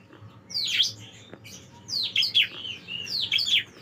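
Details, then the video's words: Bar-winged prinia song used as a master recording for training songbirds: bursts of sharp, high chirps and down-slurred notes in three phrases, with a lower whistled note between them and a faint background hum. "masteran ciblek"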